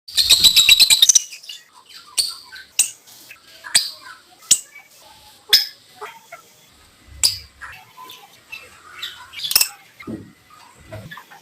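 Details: Green Fischer's lovebird pair chirping in a duet: a fast rattling burst of high, thin chirps opens, then sharp, squeaky single chirps about once a second, with soft chatter between them and a quiet background.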